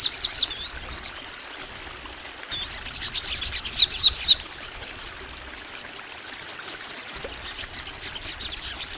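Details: Crimson sunbird in a long singing bout: bursts of high twittering and a fast trill, a quieter pause, then repeated high arched whistles and sharp chirps resuming energetically.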